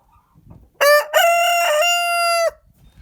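A rooster gives a single crow: a short opening syllable, a brief catch, then a long, steady, nasal held note that cuts off sharply. Little else is heard.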